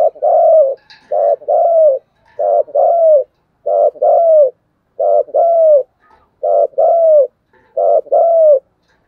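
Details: Decoy spotted dove cooing vigorously in a steady rhythm: seven paired phrases, a short hollow note then a longer falling coo, repeated about every 1.3 seconds with no other sounds.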